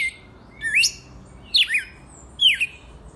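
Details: Red-cowled cardinal from the wild, giving three clear whistled phrases with quick up-and-down slurs, spaced under a second apart, against faint background hiss.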